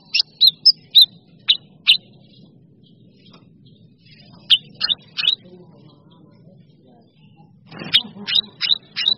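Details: Cucak cungkok sounds from a masteran training recording that mixes in kinoi and kapas tembak birds. Short, sharp, high whistled chirps come in quick bursts, with a pause in the middle and a faster cluster near the end, over a low steady hum.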